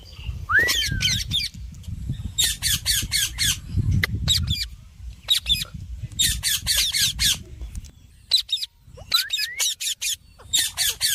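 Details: Rose-ringed parakeet, a talking ringneck parrot, giving harsh, raspy squawk bursts in quick clusters, with a rising then falling whistled note near the start and again near the end, over a low rumbling background.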